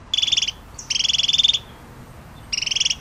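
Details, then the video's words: Pygmy nuthatch giving three bursts of fast, evenly pulsed high piping notes, the middle burst longest at about half a second, with a very short high note before it. "Canto del Trepador Enano"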